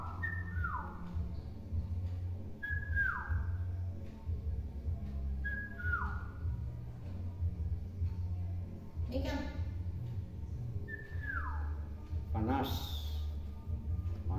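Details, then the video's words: Tame hill myna, let loose after bathing, imitating sounds it hears: a clear whistle dropping from high to lower pitch, repeated about every two and a half seconds, with a brief noisy burst near the end and low room hum. "BURUNG BEO PINTAR NGOMONG"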